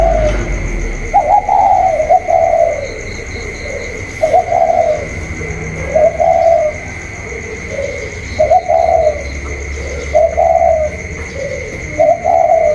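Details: Spotted dove of the 'cu còi' calling style, a captive bird inside dueling with a wild bird outside, 27 October 2022; short mellow cooing phrases repeated about every two seconds over a steady high whine, with faint music.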